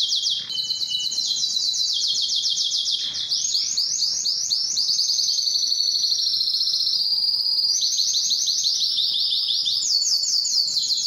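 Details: Canary singing to stimulate females for mating: an unbroken stream of loud rolling trills over eleven seconds, shifting between rattling pulses and smoother buzzy stretches at changing pitches.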